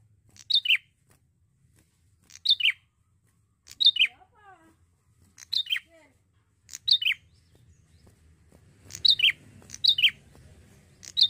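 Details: Young male Bar-winged prinia repeating its high-then-lower two-note phrase about nine times, faster toward the end; faint soft lower chirps from another bird briefly in the middle.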